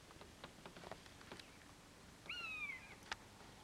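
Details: Common buzzard giving one drawn-out mewing call about half a second long. It starts high and slides gently downward. Faint clicks and taps are heard before it, and a sharp knock follows.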